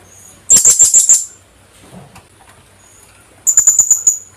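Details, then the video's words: Philippine hanging parrot (kulasisi), a small parrot endemic to the Philippines, gives two quick bursts of five or six sharp, high, thin squeaks about three seconds apart, with faint soft sounds between. "PHILIPPINE HANGING PARROT SOUND | HUNI NG KULASISI"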